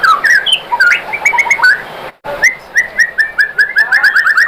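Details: White-rumped shama song used as a lure to provoke other shamas into singing back: varied clear whistled phrases and chirps, a brief silence near the middle, then a run of repeated rising whistled notes.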